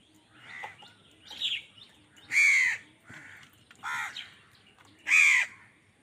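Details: Crows scrapping with wild birds for food, sounding angry; a mix of softer and louder rasping caws at uneven intervals, two notably loud and harsh.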